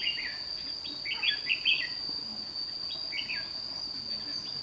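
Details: Lure red-whiskered bulbul calling wild birds to a trap at Thanh Liêm, 29 May 2016: brisk, bright warbled phrases near the start and around one and three seconds, with a constant shrill insect hum beneath.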